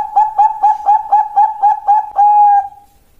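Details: Contest-class Bangkok-line zebra dove (perkutut) singing: about nine quick, evenly spaced ringing coos on one mellow pitch, then a long held final note fading out, over a quiet background.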